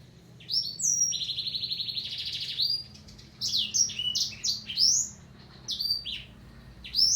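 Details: Black-throated canary singing: a fast buzzy trill held for nearly two seconds, then a run of quick whistled notes sweeping up and down, some very high and sharp, with short pauses between phrases.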